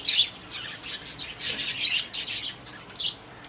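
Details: Budgerigars kept in a cage produce a run of blurred, high, rasping chirps and warbles, loudest at the start and middle, then fading to a single chirp.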